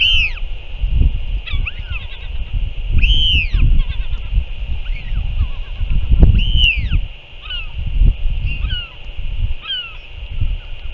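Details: Northern royal albatross recorded 6 April 2024 as a parent feeds its chick; louder drawn-out, arching wails recur every few seconds, interspersed with faint rapid chattering notes, against gusty wind and a steady hiss.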